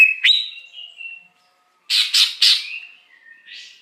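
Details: Wild greater green leafbird used as a lure sound for wild birds: a sharp rising note, a thin whistle, then three loud harsh buzzy bursts followed by a fading whistled tail and a soft rasp.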